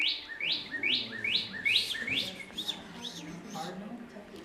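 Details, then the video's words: Northern cardinal giving one of its many calls: a quick run of clear, upslurred whistled notes, about three per second, like laser-gun "pew, pew" sounds, growing softer toward the end. "Cardinals make a lot of different calls, so it was hard to pick just one."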